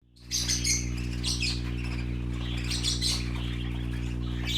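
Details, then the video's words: Colorful young parakeets at play give a busy, overlapping mix of high chirps and short squawks throughout, over a steady low electrical hum. "Color ful Parakeet Babies playing - Original sounds"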